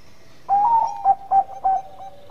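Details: A zebra dove of the Bangkok type, calling to draw a response from rivals, gives a soft, mellow coo: one drawn-out note, then three short, evenly spaced staccato notes, all at about the same mid pitch.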